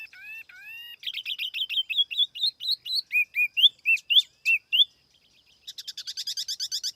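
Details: A tiểu mi laughingthrush used as a lure pours out song: two drawn whistles, then a rapid run of sharp high notes, bright looping whistles, and a closing fast twitter.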